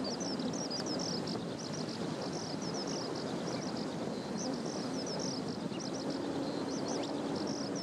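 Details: A single Kentish plover chick at Kasai Rinkai Park's west beach, Tokyo, on 16 July 2014 gives thin, high peeps in quick clusters of two or three over a steady rushing roar.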